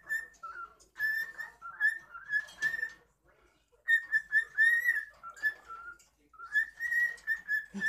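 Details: Domestic cockatiel performing for the camera, giving three bursts of clear, slightly wavering whistled phrases separated by short pauses, each phrase a string of linked notes.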